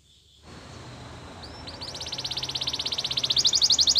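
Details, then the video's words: Belgian canary singing for training, behind background hiss: a soft start breaking into a rapid, pulsing trill that grows steadily louder and rises near the end. "The most popular canary training!! Your belgian canary will sing a lot"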